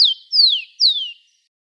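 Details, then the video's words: Rufous-collared sparrow recorded live for teaching young birds to sing, giving three clear, high whistles, each sliding downward and lasting about a third of a second, with no other sounds. "Canto do Tico tico"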